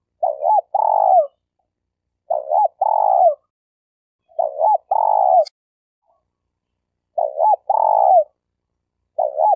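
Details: Champion spotted dove decoy from Malaysia, used for trapping: regular phrases about two and a half seconds apart, each a looped double note leading into a long descending coo, a faint click mid-way.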